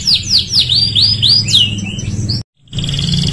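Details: Canary song used to train other canaries: a rapid series of clear downslurred whistles repeated about every quarter second, then a short gap and a steady high trill, with a low background hum.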